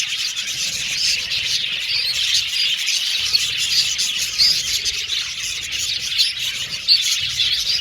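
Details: Colony of caged budgerigars in an aviary, singing and chirping; a dense, continuous high chatter of overlapping warbles and squeaky chirps from many birds at once, with a few brighter whistled notes standing out.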